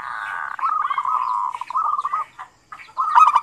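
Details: A zebra dove (perkutut) gives a "ngerot" (kerot) call of soft, rolling coos, low and tremulous, in quick runs broken by a brief pause before the next phrase.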